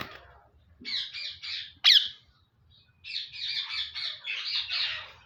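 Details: Caged male parrot, active, makes a run of grating squawks, one sharp piercing shriek in the middle, then a rapid series of rough, repeated squawks.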